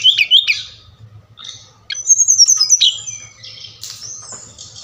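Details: Brown-chested jungle flycatcher from Bali singing, in audio meant to make captive birds sing. It opens with quick looping whistles, pauses, then gives a loud high trilled phrase that drops into softer whistles, over a low hum.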